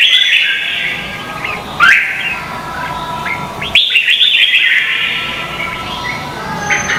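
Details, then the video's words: Vietnamese red-whiskered bulbul contest singing, meant as lure sound for training birds. Sweet whistled phrases run almost continuously, with two sharp louder bursts as new phrases begin, then fast warbling trills, all high-pitched over faint hiss. "Chào mào hót đấu hay nhất việt nam"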